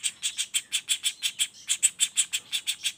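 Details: Young common flameback giving a fast train of rasping notes, roughly two per second, in a continuous roll with one brief break midway.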